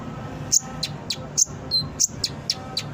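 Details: Brown-throated sunbird song used to lure and train captive birds: a series of short, very high sharp chirps and thin whistles spaced irregularly about every quarter second, over a faint low background hum.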